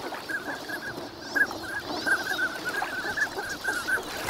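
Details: A flock of wintering migrant ducks at Nagahama, Lake Inawashiro, on a fine morning; rapid, uneven series of short mid-pitched calls from many birds, roughly one to two per second, with steady ambient hiss.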